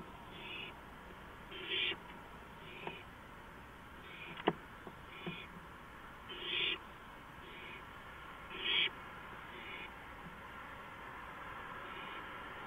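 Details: Owl on a porch at night, 5 April 2015, 2:05 AM; evenly spaced, coarse hissing bursts roughly every second, some louder than others, with scattered sharp clicks.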